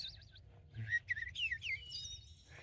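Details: At midday during peak spring migration in southern Maine, a Wood Thrush sings one flutelike phrase: soft opening notes, then rich rolling whistles ending in a thin, high trill, over a faint low hum.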